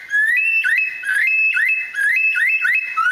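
A lyrebird imitates a bush stone-curlew: loud, clear whistled wails that slur upward and step between pitches, repeated about once a second.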